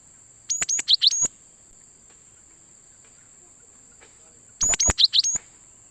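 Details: Cinereous tit calling as bait for trapping wild birds: two identical phrases of sharp high chips ending in twittered notes, about four seconds apart, with near silence between and a continuous thin whine.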